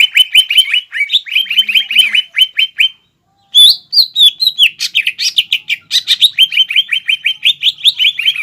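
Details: Captive green leafbird in vigorous fighting song with mimicked phrases of sparrows and other birds, intended to enrage a rival: long fast series of crisp repeated chirps, a brief silence, then varied rising whistles and renewed chirping.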